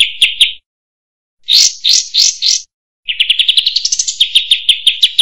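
Sooty-headed bulbul singing varied bright phrases: a short chattering burst, four loud slurred notes, then a quick rising run of about sixteen chirps.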